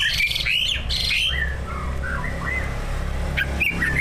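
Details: Greater green leafbird kept as a caged competition bird, one of a pair, singing song stuffed with mimicked phrases to spur other birds: loud squeaky opening notes, then softer sliding whistles and short chirps, with constant background hum.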